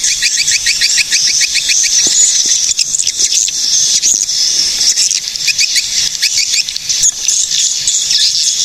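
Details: Recorded in Cilacap, Central Java, Indonesia, swiftlets open with a quick series of sharp high chirps, then dissolve into a dense, rattling chatter of shrill twitters and clicks.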